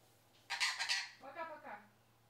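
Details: Sun conure chattering human words such as "что", "что там" and "пока-пока": a harsh, noisy burst of two quick syllables followed by two nasal, tonal, speech-like syllables, in a quiet room.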